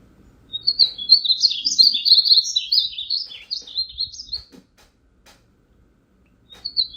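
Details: A male painted bunting (Passerina ciris) sings a quick, sweet, high warble of jumbled, varied notes lasting about four seconds, then a short fragment after a pause.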